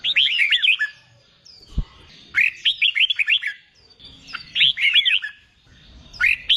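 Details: A red-whiskered bulbul in training for singing contests, a wild-caught bird, sings rapid warbled phrases of bright slurred whistles, four bursts each lasting about a second, with a single low thud between the first two.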